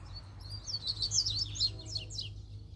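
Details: Free-flying double-collared seedeater delivering a loud song phrase: a rapid run of high, squeaky notes sliding up and down, ending in a falling series of quick chips.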